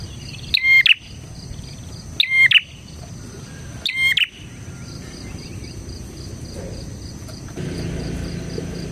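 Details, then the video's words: Bar-winged prinia singing hard, a recording used as a lure and master for prinias: three loud doubled chirps about one and a half seconds apart, then several seconds of quiet with only a faint high drone. "suara burung PRENJAK GACOR"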